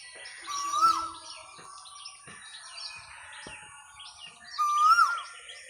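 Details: An Asian koel in a small herbal botanical garden gives two clear, rising whistled notes about four seconds apart, over a busy chatter of smaller birds and a steady high hiss.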